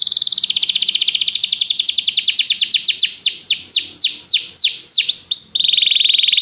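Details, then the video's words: Canary training song: a quick rolling trill that gradually slows into loud, looping downward sweeps, then switches abruptly into a steady, rapid buzzing roll. "Este canto canário inspira o apetite do seu canário para cantar imediatamente"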